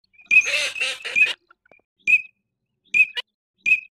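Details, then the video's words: Eurasian teal calling: a burst of harsh, buzzy, layered notes in the first second, then short, clipped, high whistled 'krik' notes repeated about every second. "صوت الحذف الشتوي [زويق] || Eurasian Teal Sound"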